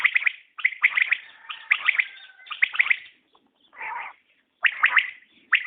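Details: Common quail calling, a recording: sharp three-note phrases repeated with short gaps, each note a quick clipped burst, with a faint level whistle in between and a softer, lower buzzy note near the middle.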